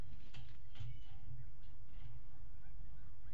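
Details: Peregrine falcon pair mating on the ledge of a nest box at a water tower in Axel, Netherlands, 5 February 2018, nest camera; a few faint, harsh, harmonic cries over steady low rumbling noise.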